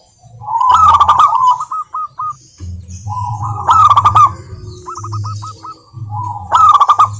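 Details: Local zebra dove (perkutut lokal) singing as a lure to prompt idle doves to answer: bursts of rolling, ringing coo notes, then short separate repeated notes, with sharp crackling clicks over a steady low hum.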